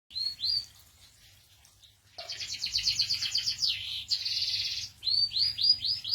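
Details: Canary song: a pair of rising notes, a pause, then a dense buzzy trilled stretch of rapid repeated notes, closing with a series of quick upslurred whistles, with low hum beneath.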